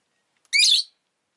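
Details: Rosy-faced lovebird kept as a pet uttering a single shrill, harsh chirp lasting under half a second, sharp and raspy with a slight rise, otherwise quiet.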